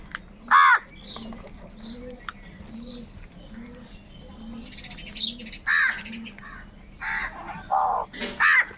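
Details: Crows fighting for food give one loud harsh caw, then a quiet stretch with faint chatter before a burst of several raspy caws toward the end.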